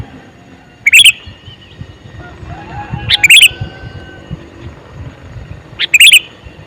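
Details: Calling male sooty-headed bulbul gives three short, bright bubbly phrases spaced about two and a half seconds apart over a faint low background hum.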